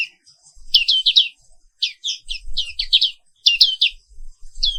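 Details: Morning song of the black-capped white-eye, found only in Indonesia: bright, high chirps that dip and twist, strung in fast groups of three or four with short gaps, faint low rumble beneath.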